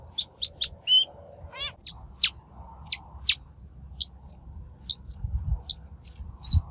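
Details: Shrike in a lure recording for bird trapping; short sharp chirps, a quick rising stuttered trill, then sparse high ticks and whistles spaced irregularly, soft low hum in background.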